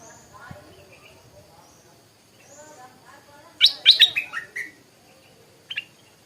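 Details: Stripe-throated bulbul in the morning giving one brisk phrase of sharp, descending chirps, followed by a lone short note after a pause over a quiet background.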